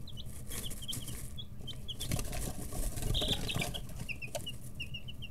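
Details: Chicks 11–13 days old in a brooder, stretching feathers and pecking, give rapid high peeps, with a burst of wing flapping and rustling midway, all above a low hum.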